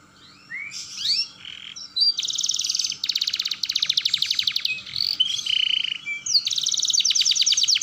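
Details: Roll song of a canary, used to train young birds to sing; varied phrases with chirps, then long dense high rattling trills and fast repeated rolls, alternating with short whistled notes.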